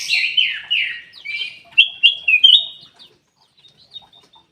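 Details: Ruby-throated bulbul singing as a lure for caged birds that are slow to sing. A run of quick descending whistled notes ends in clear repeated chirps, then faint distant peeps.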